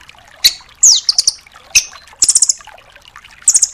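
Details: Dark-necked tailorbird song, recorded as training material for other songbirds: high sharp notes, a downslurred whistle and rapid high trilled bursts in quick succession, loud and close.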